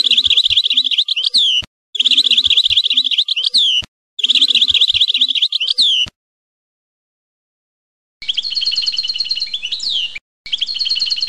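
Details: European goldfinch song notes, shown as named note types: three high buzzy trilled phrases, each ending in a swooping twist, then after a pause a slightly lower rolling trill broken by a short gap.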